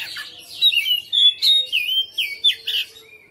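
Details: Domestic white-rumped shama, described as a persistent fighter type, singing loud varied whistles: rising and falling slurred notes and sweet phrases about four per second, with a faint steady low tone behind.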